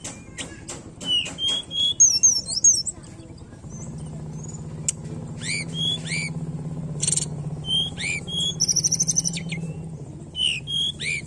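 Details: Tledekan song used as a lure to get a reluctant bird to sing: a busy run of high, sharp chirps, short whistles and quick downslurred notes, with a steady low hum running underneath.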